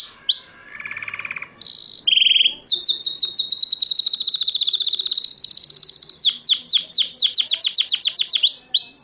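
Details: Canary singing in Morocco, 2012: loud, high, rapid song that opens with buzzy notes and short whistles, then a long run of fast, sweeping descending syllables, followed by quicker clipped trilled phrases. No other clear sounds.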